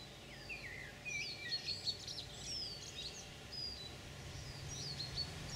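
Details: European pied flycatcher (Ficedula hypoleuca), recorded 9 June 2019, singing quick, sweet, high notes that slide up and down, with other birdsong overlapping over a steady outdoor hiss.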